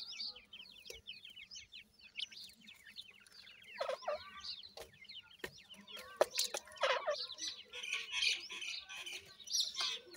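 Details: Iranian francolin chicks calling in a crowded chorus of high chirps, growing louder and busier in the second half with harsher, noisier bursts.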